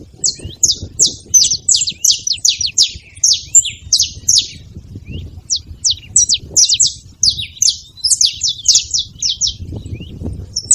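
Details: Several saffron finches calling as a group: bursts of quick, sharp, high chirps, dense at the start, then looser and more spaced, picking up again near the end.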